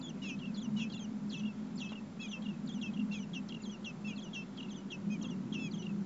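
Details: Common blackbird chicks, four in the nest, clamor for food brought by their parents in heat above 30 °C; loud, rapid, high squeaky chirps run almost nonstop over a low droning hum.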